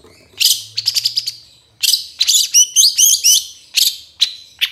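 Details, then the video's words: Long-tailed Shrike (cendet) song, played as a masteran tutor recording to train other songbirds. Loud, high-pitched bursts of sharp chirps, harsh buzzy notes and quick warbled phrases come in dense clusters separated by brief pauses. No other sounds intrude. "MASTERAN CENDET TROTOL AMPUH CEPAT GACOR, PANCINGAN CENDET GACOR FULL ISIAN"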